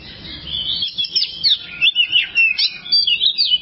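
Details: Kacer or oriental magpie-robin training song for other songbirds: a steady stream of sweet warbled whistles and sliding notes, rhythmic bursts about every third of a second.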